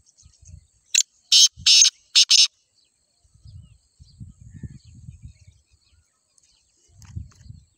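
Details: Grey francolin in Sindh gives four loud, harsh, shrill notes in a quick burst, followed by low rumbling background noise.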